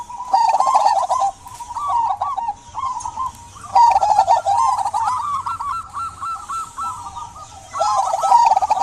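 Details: Local zebra dove in full voice, used to prompt silent doves to sing: long runs of soft rippling trilled coos, steady in pitch, broken by brief gaps, with faint higher chirping from other birds in the background.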